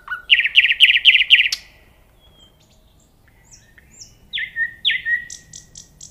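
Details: Nightingale song opening with a fast, evenly spaced volley of loud repeated notes. After a pause come thin high whistles, two strong downward-slurred notes and a short buzzy series.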